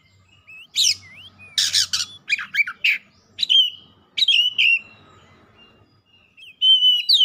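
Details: Oriental magpie-robin in heated, vigorous song, showing off its repertoire. Rapid mix of harsh rasping bursts, looping whistles and clear high slurred notes, delivered in quick broken phrases with short pauses.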